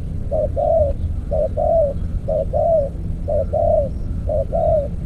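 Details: Repeated low cooing of a decoy spotted dove in an earthen trap, five short-long phrases about one per second, against a constant rumbling background.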